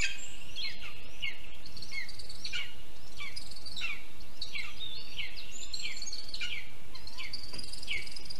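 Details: Nest of lesser spotted eagles in a spruce, Zemgale, Latvia, 6:48 a.m., 24 June 2022. The male delivers a water vole while the female feeds the chick. Thin, descending yelping whistles come in a steady run, roughly two per second, against constant high hiss and low background rumble.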